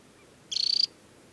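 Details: Adult Temminck's stint in summer plumage, banded, on Hardangervidda's Tinnhølen lake in Norway, early July. A single brief, high-pitched, ringing trill of about a dozen fast pulses lasts under half a second against near silence.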